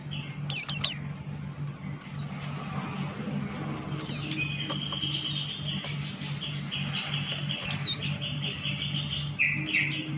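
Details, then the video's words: High, piercing chirp bursts from a Buxton's white-eye singing ngalas style, then a lower, even chain of short whistled notes, with a steady low background hum throughout. "Burung Pleci Buxtoni Gacor Ngalas Buka Paruh"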